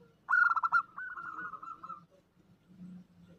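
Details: Zebra dove female calling a male, an omyokan-style lure call: a brief loud burst of rolling, fluttering coos, then a softer sustained trill fading out, with low murmuring underneath.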